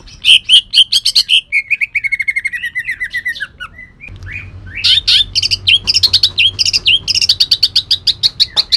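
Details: Caged Kalimantan green leafbird (cucak ijo kalimantan) delivering rough 'tembakan kasar' song filled with cendet imitations: rapid loud chattering notes, a drawn-out descending whistled phrase, then fast repeated sharp chirps and trills.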